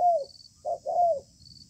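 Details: Wild-caught spotted dove with a good voice, in a contest beneath a communal house, singing a spaced "bài thưa" style: a clear descending coo followed by two short low hooting notes.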